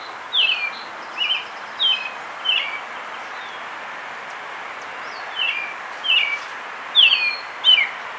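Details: American robin (Turdus migratorius) in Cincinnati, Ohio, sings two runs of about four clear, whistled, slightly falling phrases, each run lasting a few seconds, over a steady background hiss.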